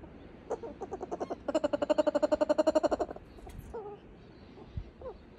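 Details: Laughing kookaburra laugh: a few chuckling notes build into a fast, rhythmic run of loud hooting 'ha-ha-ha' notes, then trail off into scattered softer chuckles.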